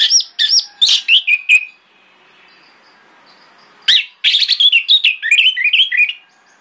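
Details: Orange-headed thrush morning song meant to lure other thrushes to answer; bursts of fast, varied whistles and chattering notes, a pause of about two seconds, then a long tumbling run of mixed whistled phrases.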